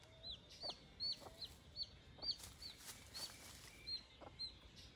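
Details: Baby chicks calling near their broody mother hen amid scratching hens: sharp, high falling peeps in irregular bursts, a few low muffled clucks below, and scratchy background noise.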